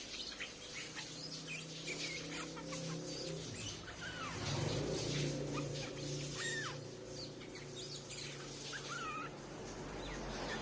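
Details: A streak-eared bulbul, used as a lure call for attracting bulbuls, gives short, slurred whistled notes that swoop up and down in loose bursts over a steady low hum.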